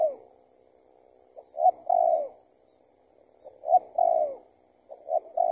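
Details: Spotted dove called in by a trapper's decoy, possibly an escaped tethered bird. Two full phrases of short lead-in notes and a long falling coo, with a third phrase starting at the end.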